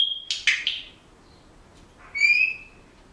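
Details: Pet Senegal parrot indoors: a steady high whistle leads into loud harsh clipped notes, a pause, then a long bright whistled note with rich overtones.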